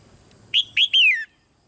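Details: Caged female red-whiskered bulbul giving a soft call to make the male sing louder. One bright phrase of two short whistled notes and a longer note that glides steadily downward.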